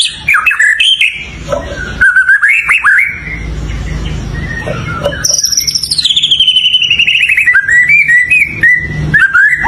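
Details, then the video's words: White-rumped shama song with varied melodious whistles and chirps; after a quieter stretch, a high bright note slides steadily downward into a string of quick rising whistles, with faint low hum throughout. "เสียงนกกางเขนดง ร้องดีสุดๆ"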